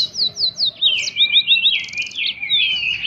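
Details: Yellow-fronted canary recorded in the wild as a lure song: a fast, bright warble of rapid downslurred whistles in quick series, with a short buzzy trill in the middle, continuous throughout.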